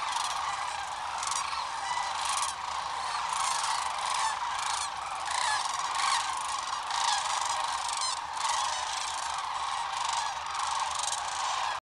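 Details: Huge group of sandhill cranes departing along Nebraska's Platte River in the morning at Rowe Sanctuary: a relentless chorus of overlapping trilling bugles, louder bursts of nearby calls standing out against the steady mass of voices.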